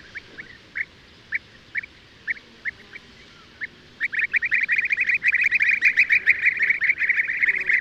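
European bee-eaters give liquid, rolling 'prruip' calls, spaced at first, then several birds calling in a rapid overlapping chorus.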